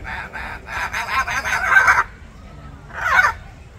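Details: Three Hyacinth Macaws eating and calling at Odense Zoo, Denmark, on 13 May 2023: a run of harsh, raspy squawks over the first two seconds, a short pause, then another rough, croaking call.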